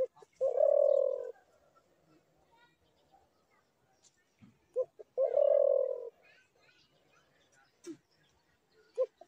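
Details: Spotted dove cooing: two long low mellow coos each led by short notes, amid faint background clicks and quiet noise.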